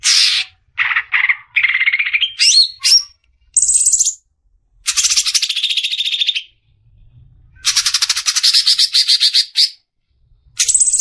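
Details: Clear besetan song of a greater green leafbird, used as a training model for caged birds: varied phrases mixing rising slurred whistles, sharp chips and long buzzy high rattles, with brief pauses between.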